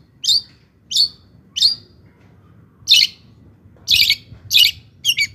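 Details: Long-tailed shrike delivering a lure song to stir rival shrikes: about seven separate harsh, high, chip-like notes spaced irregularly over a few seconds, the later ones fuller and raspier.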